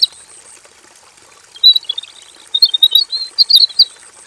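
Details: Robin singing in a simple aviary with energetic varied song: after a brief pause, a long chattering run of quick high twittered notes, unbroken for about two seconds, faint hiss throughout.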